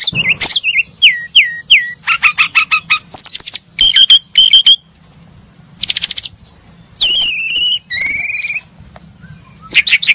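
A brown-chested jungle flycatcher gives high, varied phrases: four quick down-slurred whistles, rapid chips, then buzzy, warbled notes rising and falling in bursts.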